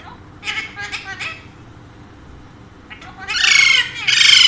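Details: An indoor Alexandrine parakeet, one of two pets said to speak Urdu and Hindi, gives a quick stuttering run of three chattering notes. After a pause come two loud, harsh, grating squawks.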